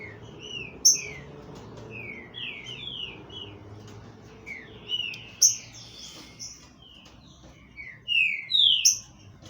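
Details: Captive-bred green-winged saltator in Brazil giving rich whistled notes, mostly short downward slurs in loose clusters, punctuated by several sharp high clicks, over a steady low background hum.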